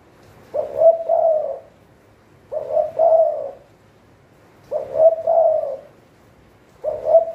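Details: Spotted dove serving as a trapping decoy in Thailand, cooing in repeated phrases. Each phrase has a stuttered double note and then a longer soft coo, coming roughly every two seconds in near silence.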